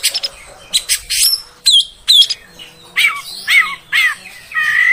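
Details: Female oriental magpie-robin singing to provoke males into agitation: short bursts of sharp whistles and buzzy, slurred notes separated by brief pauses, some phrases rising and dipping, with a quiet background.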